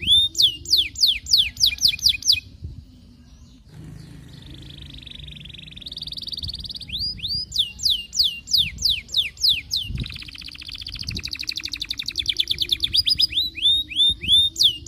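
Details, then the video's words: Courting canary used as a lure for other canaries: bursts of sharp falling whistled slurs repeated rapidly, a softer warbling pause in the middle, then more swooping notes and a fast trill. "Kenari Gacor Panjang MERAYU BETINA Cocok Buat Pancingan Semua Jenis Kenari Biar Ikut GACOR NGEROLL"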